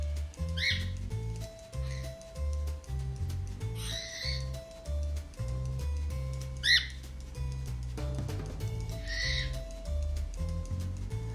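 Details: Angry cockatiel (Nymphicus hollandicus) screaming: four harsh, grating screeches, one every two to three seconds, over steady low background music. The recording is played to a pet cockatiel, which seems confused by it.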